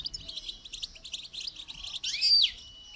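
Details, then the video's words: Goldfinch during song training: rapid high twittering notes in a continuous stream, with a louder buzzy swept phrase near the end. "Motivational rewards for training goldfinch to song"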